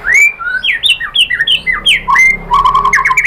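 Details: White-rumped shama song used as a lure to provoke other shamas into singing: a rapid run of loud, clear whistled notes, some rising and some falling, ending in a burst of quick, chattering whistles.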